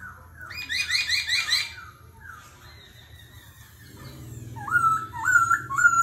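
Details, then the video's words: Competitive laughingthrush singing with constantly changing voice, in the 'kéo thuốc lào' style: a burst of rapid high chirps, then a drawn-out whistle, then repeated looping whistled notes near the end over a low hum. "Khướu hót giọng rừng - hót đấu - đảo giọng liên tục - kéo thuốc lào"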